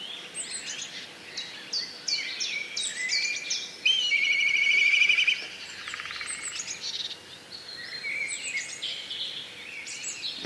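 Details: Black kite giving one loud, rapidly quavering, trilled whinny lasting just over a second in mid-recording, set among many other birds' busy high chirps and thin whistles before and after.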